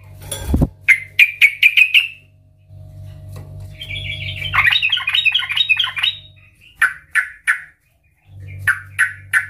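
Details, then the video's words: Loud, actively singing sooty-headed bulbul (trucukan) played as a lure to set others singing: a quick run of chirps, a bubbly warbled phrase midway, then spaced downslurred notes over a low hum. "Trucukan gacor Ngeplong Garuda Suara KERAS - Pancingan Trucukan agar Bunyi dan Gacor"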